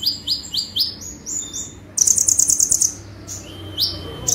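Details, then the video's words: Konin sunbird singing full tembakan bursts: quick series of sharp rising chips, then a dense high buzzy trill lasting about a second, followed by scattered thin notes. "KONIN GACOR FULL TEMBAKAN"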